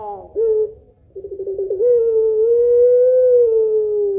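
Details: Puter pelung Barbary dove singing a long two-note kuwok lure call. A short clipped coo, a brief pause, then rapid throbbing pulses run into a long, smooth, low coo that sinks slightly at the end.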